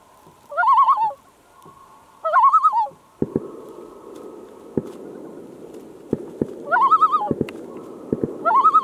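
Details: An adult common loon on a lake on a hot summer evening approaches a canoe 500 feet from shore, giving four quavering tremolo calls a couple of seconds apart, apparently upset by fireworks heard as knocks, over a low rushing background.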